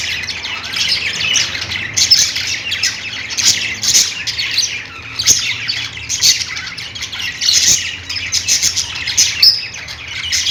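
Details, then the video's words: Several budgies chatter together, a steady busy wash of scratchy high chirps and squawks with brighter bursts every second or two, continuing without pause throughout. "budgies sounds | parakeet chirping sounds"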